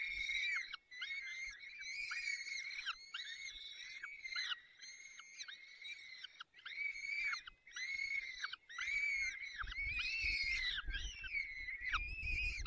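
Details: Peregrine falcons at a nest in the Barycz Valley, Poland, 30 April 2020 at 14:28, as the male brings prey and feeds the chicks while the female is away; loud, harmonic wailing calls repeat roughly once a second with short gaps.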